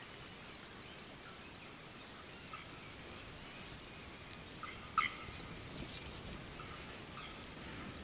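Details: A swallow-tailed kite in Brazil gives a quick series of thin, high whistled notes for about a second and a half, over steady background hiss, with one lower note later.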